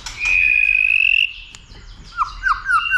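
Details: White-rumped shama stimulated to sing and to fight, tail flicking: one long steady whistle held about a second, then a sharp click and a run of short rising and falling whistled notes.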